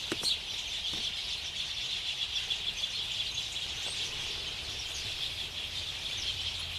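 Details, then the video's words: Sparrows gathering to roost at dusk in late summer, 8 February 2021, at Ngahinapouri, Waikato, New Zealand, recorded with clip-on omni mics. A dense, continuous wash of high chirping from many birds, with a few sharper notes rising above it. "Sparrows roosting at dusk"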